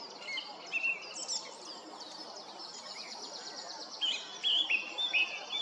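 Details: A song thrush sings clear, high, varied phrases, some repeated in quick succession, against steady background hiss at Stodmarsh Nature Reserve, Kent, UK, while a Little Owl dozes nearby.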